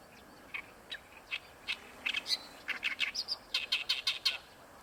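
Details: Oriental reed warbler in song at Ikeshima: spaced single harsh chirps that quicken into a grating run of rapidly repeated rasping notes near the end.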